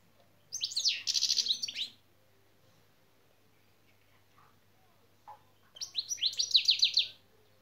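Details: Goldfinch lesson recording with two separate bursts of the şak şak phrase. Each is a rapid string of bright, sharply rising high notes, with a quiet gap of several seconds between them.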